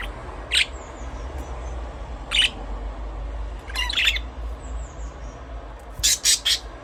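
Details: Budgerigar chirping in separate harsh bursts every second or two, ending in a rapid run of three loud scratchy chirps, against a faint steady hum.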